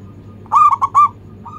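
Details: Cooing song of a local zebra dove, played to entice other birds into singing; a mellow three-part coo phrase with a short soft note before and after, against a constant low hum.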